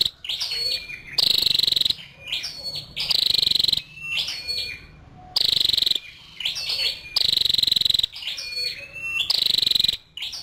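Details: Female scarlet-backed flowerpecker giving a series of loud, rasping high bursts, each followed by quieter thin chips and brief whistles. The pattern recurs roughly every two seconds.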